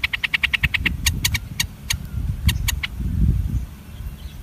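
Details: Day-old bulbul chicks being fed by their mother give a fast burst of thin, high chirps, about eight a second, then scattered single chirps, over a steady low rumble of traffic.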